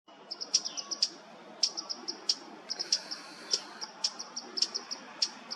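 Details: Chestnut-crowned Bush Warbler (Cettia major) in the Mishmi Hills, Arunachal Pradesh, India, in April 2023, giving sharp, high ticking notes, sometimes doubled, repeated irregularly about twice a second, over a faint low background hum.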